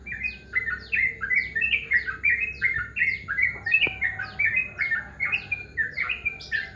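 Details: Yellow-vented bulbul calling in the morning: a continuous busy chatter of short, bubbly, down-slurred notes, overlapping and tumbling over one another for the whole stretch, with a faint low hum beneath.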